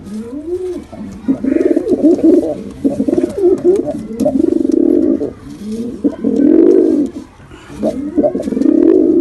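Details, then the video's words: Pair of pigeons, male and female, producing throaty, bubbling coo phrases that swell and fall, several bursts over nine seconds with short gaps. "Male & Female Pigeon Combo Attacks Sound"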